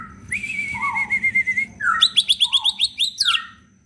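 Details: Captive leafbird singing actively with full fills, used to spur quiet leafbirds: a long, even whistled tremolo, a short low note, then a rapid run of sharp bright chirps ending in a sweeping whistle.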